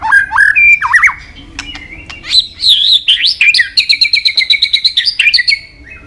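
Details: White-rumped shama (murai batu) singing vigorously to stir other shamas: looping rich whistles, then a fast run of bright repeated notes, about six per second, before a final whistle.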